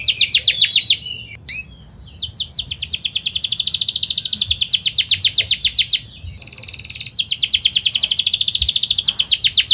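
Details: Canary song meant as a lure for learning birds: long, rapid rolling trills of high, tightly packed notes, broken by brief whistled sweeps and short pauses between rolls.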